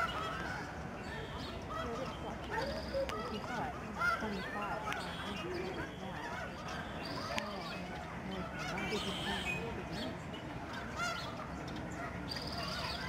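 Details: Snow geese in huge flocks flying over the Fraser River estuary at George C. Reifel Migratory Bird Sanctuary, Delta, BC, Canada, their wintering site, 24 March 2011; a continuous wall of distant overlapping honks with faint human voices.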